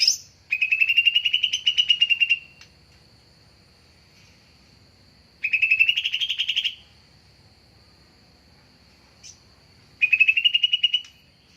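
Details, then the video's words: Greater green leafbird lure sound for trapping: three loud, fast pulsed trills, each lasting one to two seconds and rising slightly, separated by quiet gaps with a faint steady high whine. "Suara Pancingan/dan suara PIkatan Cucak Ijo"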